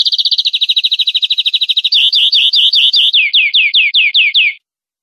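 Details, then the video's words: Greenfinch song recorded cleanly for teaching captive European greenfinches, 2020/2021: a fast rolling trill slows into looping twittered notes, then ends in a series of separate descending whistles about three per second. "Nuevo CD limpio para educar verderones 2020/2021"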